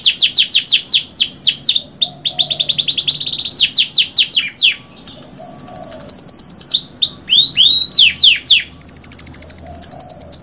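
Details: Canary singing a long, continuous song: rapid trills of descending sweeps, buzzy rolled passages and sustained high whistled tones, phrases changing every second or two, loud and close with little background noise.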